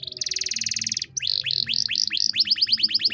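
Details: Canary song: a steady buzzy rattling tour for about a second, then a run of clear down-swept whistled notes that quicken into a rapid, sharper trill.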